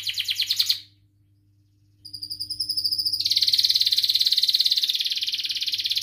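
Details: Domestic canary singing a long training song meant to teach young canaries: a fast trill that stops, a second of silence, a clear sustained whistle, then an even, rapid trill of many repeated notes. A low electrical hum sits underneath.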